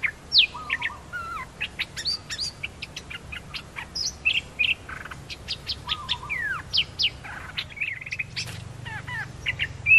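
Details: Two newly trained Red-whiskered bulbuls used as decoy birds; lively stream of clear whistled notes, upward and downward slurs and short trills in quick succession, fairly loud and continuous over a soft low hum.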